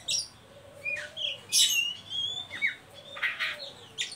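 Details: Oriental magpie-robin producing ngeriwik calls as a singing lure for young birds: varied short whistles, sharp slurs and rasping bursts strung together rapidly and unevenly.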